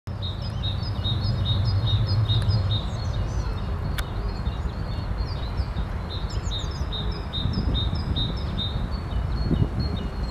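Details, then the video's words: Great tit singing with a wood pigeon in the background. The song is a high, thin two-note phrase repeated rapidly and steadily throughout. A low murmur early on and heavy low rumbling noise lie underneath. "Grzywacz w tle śpiewu sikorki bogatki"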